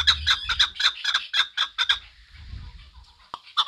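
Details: Chukar partridge calling in a fast series of harsh, clucking chuk notes, about two per second, for two seconds before trailing off into a few scattered notes and a faint low rumble.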